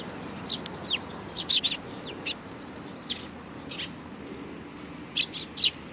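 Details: Scattered sharp sparrow chirps from a Tenmangu shrine on 4 July 2019, with single and paired high tweets spaced irregularly over several seconds and a steady soft background hiss.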